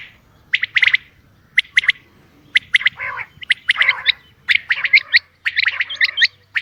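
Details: Common quail, a female, giving rough chattering bursts, some single and some in rapid groups, becoming denser toward the end; a faint low hum runs underneath.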